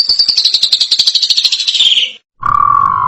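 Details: Asian pied starling singing a stuttering, rasping phrase of rapid pulses that slides gradually lower, then, after a short gap, a steady lower drawn-out tone.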